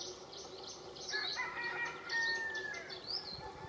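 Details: Atlantic canary singing in a Canary strawberry tree at Valleseco, Gran Canaria, in December 2022. A fast, busy run of high chirping and trilled notes, with brief clear whistles lower down and a faint background hiss.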